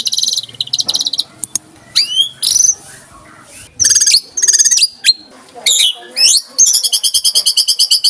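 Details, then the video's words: White-rumped shama in 'tembakan rapat' style: short choppy bursts of high buzzy trills and upswept whistles separated by gaps, ending in a fast, regular high trill. "Tembakan Rapat Burung Murai Batu"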